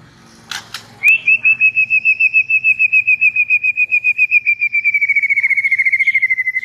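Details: White-rumped shama in relaxed chatter, delivering a long steady whistled trill of rapid pulses that slowly drops in pitch over about five seconds, after a few soft clicks.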